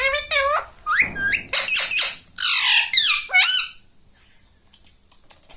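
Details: Talking pet parrot imitating human words such as mummy and mitthu, uttering a burst of harsh, voice-like syllables with rising and falling inflections over about four seconds, followed by faint ticking room noise.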